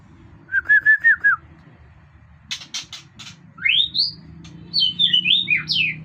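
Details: Competition-grade white-rumped shama in full song: a quick run of short whistled notes, a few sharp clicks, then loud rising and falling whistled sweeps, over a faint low hum.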